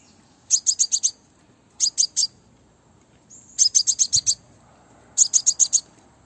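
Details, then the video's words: Female Crimson sunbird calling to draw males for trapping: four bursts of three to six rapid, shrill high tweets, spaced about one to two seconds apart, over a quiet background. "hút mật xác pháo mái mồi - Tiếng hút mật mái mồi, Crimson sunbird Female - Aethopyga siparaja"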